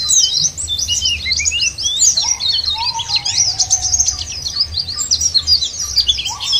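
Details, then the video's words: High, quick chattering warbles of white-eyes, played as a lure to get birds singing, run on in a crowded stream, broken by occasional lower, level whistles from another bird. "puter ini jangankan pleci burung lain aja pada gacor"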